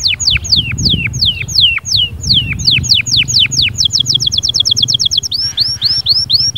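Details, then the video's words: Lively canary song: a run of loud, swooping downslurred whistles that speeds into a rapid even trill, ending in short arching notes, with a low background rumble. "اياك وتقول عصفوري الكناري ساكت أدخل عليه البهجة بالمقطع الاكثر تحفيز نار نارcanary"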